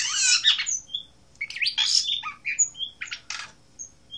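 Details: Asian blue rock thrush song: a loud rasping burst opens, then quick jumbled notes. These rise and fall in short slurs, with sharp high whistles between them. The clip ends on a brief scratchy note.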